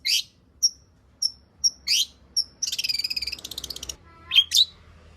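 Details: Long-tailed shrike song meant to prompt other birds to sing: scattered sharp high whistled notes and harsh bursts, then a fast rattling trill lasting over a second, ending with two rising chirps.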